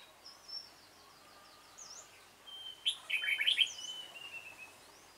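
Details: Red-whiskered bulbul of the dark-bibbed variety singing during trapping on 28 February 2017. A rapid series of faint high ticking notes gives way to a loud, bubbling warbled burst with a trailing whistle.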